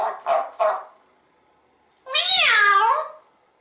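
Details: Pet African Grey parrot indoors in Texas: short speech-like syllables, then a sustained wavering, whistled vocal phrase lasting about a second, with the parrot offering water, asking for raspberries and kisses, and inviting to dinner.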